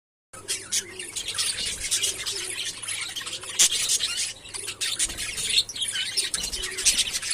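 Budgerigars chatter in a busy flock, a dense mix of high chirps, warbles and scratchy notes.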